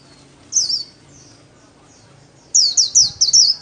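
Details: White-eye performing 'khuyên líu' solo song, played for daily training of kept songbirds: a short high warbled burst, a pause with faint twitters, then a quick string of bright, looping high notes.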